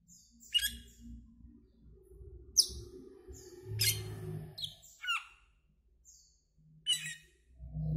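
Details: Asian glossy starling calling with sharp, high, clipped chirps and squeaky notes spaced a second or so apart, over a low hum of background noise.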